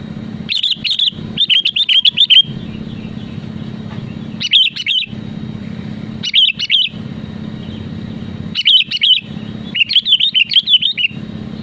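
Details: Sooty-headed bulbul singing actively to challenge rivals: repeated bursts of rapid, chattering, bubbly whistles separated by short pauses, over a constant low mechanical hum.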